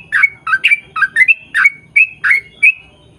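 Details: Long 'ropel' style lure song of an actively singing Yellow-vented bulbul, meant to make others of its kind sing back. Rapid chattering, gurgling note pairs rising into bright whistled ends, about three each second.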